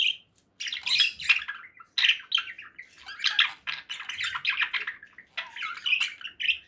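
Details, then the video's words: Conure parakeet chattering with buzzy, rasping squawks strung closely together in loud uneven phrases, some notes dipping lower in pitch. "7 hours of relaxing conure parakeet sounds"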